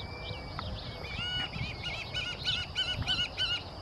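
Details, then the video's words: Adult White-tailed Hawk calling at the equestrian club of Zamorano University, Francisco Morazán, Honduras, 13 December 2017: a rapid run of nasal, harmonic, slightly arched notes about four per second, growing louder, over a steady high insect hum and low rumble. "White-tailed Hawk"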